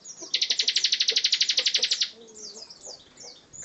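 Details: Bar-winged prinia in 'gacor ngebren' song: one rapid, even rattling trill of about twenty high pulses over nearly two seconds, followed by soft scattered thin notes.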